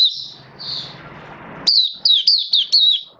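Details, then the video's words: Hobby-kept oriental white-eye in a cage, 19 September 2022, build-up form: soft high twitter with low hum beneath, then a clear series of five sharp, downward-slurred whistled chirps. "Mata Puteh V2 Raja Buka Sing Build Up Form"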